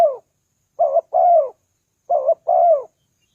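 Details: Spotted dove coos for luring wild doves, two clear phrases of a brief quavering note and a longer downward coo, steady and evenly spaced, against a silent background.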